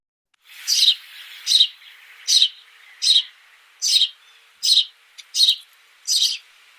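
A house sparrow gives a run of eight bright, slightly harsh chirps, one roughly every three-quarters of a second, over a faint background twitter.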